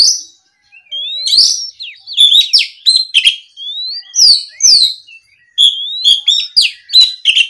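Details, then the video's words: Oriental magpie-robin singing hard in response to a rival: loud upslurred whistles, sharp downward-swept notes and short harsh chatters follow one another rapidly, with brief pauses between busy phrases. "MEMANCING KACER LAWAN AGAR LEKAS BUNYI NYAUT & GACOR! SUARA BURUNG KACER GACOR NGEPLONG !"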